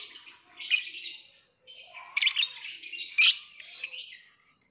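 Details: Lovebird chattering in ragged, high, scratchy phrases, with sharp louder squeaks standing out among softer twittering and a brief pause midway.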